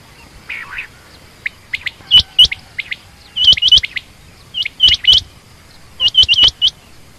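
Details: A female quail, named as common or rain quail, starts with softer notes that build into loud bursts of three or four sharp, rising chirps spaced about a second apart.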